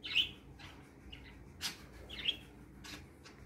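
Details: Pet parakeets, a trio happy in the morning, giving a few loud bright chirps and softer twittering notes, with gaps between calls in a quiet indoor setting.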